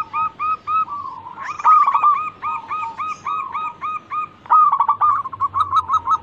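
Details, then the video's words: Local zebra dove in full, active song, intended to lure other birds to sing: short repeated cooing notes in rapid bursts, several loud trilled phrases separated by brief pauses. "Pancingan burung perkutut lokal gacor pintar merayu cepat bunyi"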